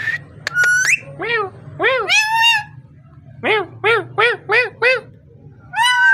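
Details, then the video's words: Parrot uttering a series of short nasal, harmonic barks in a rapid row of about five, preceded by a few squeaky notes and followed by a rising whistle, with a low hum throughout. "Amazing parrot so cute talking and voice"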